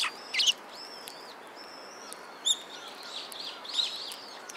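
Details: Chirping sparrows recorded at a Tenmangu shrine, 17 December 2016: a few brief arched calls and sharp chips scattered through the clip against constant low hiss.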